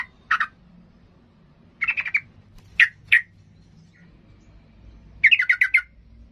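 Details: Sooty-headed bulbul, excited and challenging rivals to fight, produces scattered sharp chirps, a short trilled burst, two clear single notes and a final rapid rattling trill.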